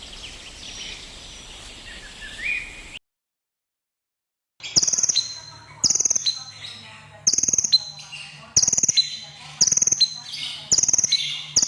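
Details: Crimson sunbird, a red-breasted bird in lively song. Faint high notes come first, then a gap of silence. Loud, very high bursts follow, each a rapid ticking trill with a sharp edge, repeated about every 1.4 seconds.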